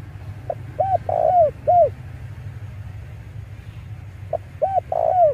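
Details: Male spotted dove recording used to lure wild doves: two phrases of soft hollow coos, each a short clipped note, two arched coos, a longer burry coo and a final falling coo, over a steady low hum.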